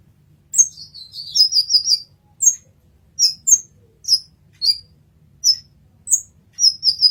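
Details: A brown-throated sunbird on a masteran recording utters a tumbling series of high, slightly falling chirps, then sharp isolated notes roughly every half second, ending with a quick trio; soft low hum behind.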